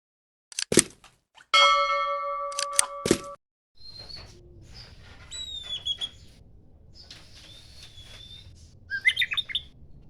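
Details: Oriental magpie-robin, a kacer poci, singing in the morning: sharp clicks and a burst of buzzy, harmonic notes, then thin high whistles, several sliding downward, ending in a flurry of quick chirps over a faint low hum.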